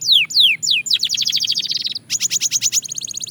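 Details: Belgian canary singing at fast tempo: three long descending whistled sweeps, then a rapid buzzy trill of short notes, then a higher, bright repeated trill, all clear and loud.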